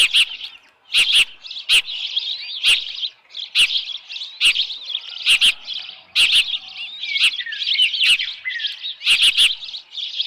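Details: On 10 June 2018 at 6:41 PM at Dunrovin Ranch, an osprey at the nest with a headless fish keeps up high, thin chirping. The chirping is overlaid by frequent sharp clicks roughly every second.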